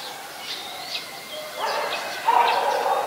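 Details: Olive-backed Sunbird (Yellow-bellied Sunbird, Cinnyris jugularis) at a home garden on 23 March 2021, late afternoon around 5:30 PM: thin, high sweeping notes in quick succession, then a louder, lower warbling sound over steady background hiss.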